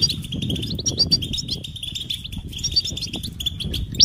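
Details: Quieter European goldfinch mating calls for stimulating males: thin, high chirps and tinkling notes in loose series over a murmuring low background rumble, with one brighter note at the very end.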